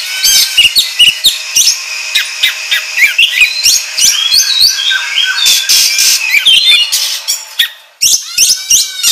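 An oriental magpie-robin pours out a fast, continuous stream of loud, varied whistles, slurred rising notes and harsh buzzy chatter, with barely a pause.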